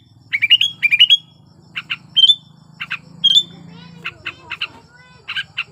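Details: Sooty-headed bulbul in breeding condition, used as a lure to set quiet bulbuls singing: paired chirpy phrases ending in rising whistled notes, then short clipped calls spaced about half a second apart, over a soft low hum.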